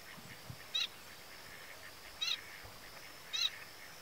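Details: Adult male pin-tailed sandgrouse, a vagrant far from its inland steppe habitat, at the Tancat de Milia reserve, Sollana, l'Albufera, Spain, 1 June 2013: three short, high, nasal call notes with rich overtones, spaced well apart over faint background noise.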